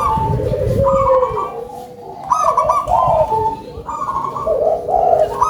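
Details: Loud local zebra dove song, staccato rolling coos in phrases about every two seconds, some notes climbing higher, over steady low background noise.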